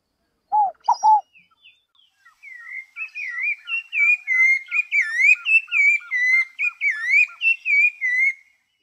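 Rufous-bellied Thrush singing: a few low, hollow notes open into a quick run of bright, clear whistled phrases, each a short rising-and-falling slur, repeated several times a second.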